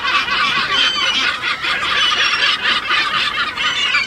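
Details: Kelp gulls, in Chile, calling continuously in a dense chorus of harsh, nasal, overlapping cries with no pause.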